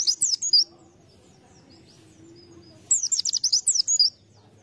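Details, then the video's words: White-eye kept as a lure bird: two bursts of high, rapid chirping twitters, each about half a second to a second long, separated by a quiet gap with low background hum. "Pleci | Burung Kacamata bahan pancingan"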